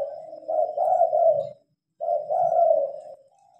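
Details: At night with lights on, a spotted dove gives two soft, rolling coo phrases, each about a second and a half long, separated by a brief silence; recorded by phone.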